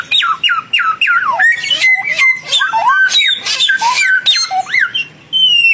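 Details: Song duel of a young and a mature samyong bird. Rapid series of downward whistled slurs, repeated several times a second, with harsh buzzy bursts, then a pause and a final rising whistle.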